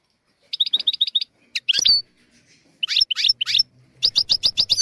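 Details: Goldfinch tutor song for young goldfinches and canaries: a neat series of seven evenly repeated high notes, a few sharp twittering calls, then a fast run of bright repeated chirps at the end.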